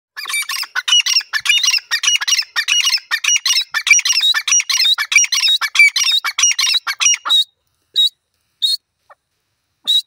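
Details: Grey francolins calling: loud, harsh, rhythmic repeated phrases of high squeaky notes in a rapid series for about seven seconds, then a few isolated short notes with silence between.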